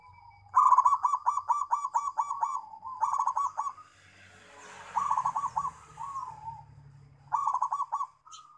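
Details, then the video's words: Local zebra dove used to lure doves and prompt silent ones into singing: bursts of rapid, stuttering pulsed coos with drawn-out trailing notes, a rustling noise in the middle. "Suara Perkutut Lokal - Buat pikat dan pancingan yg mogok bunyi"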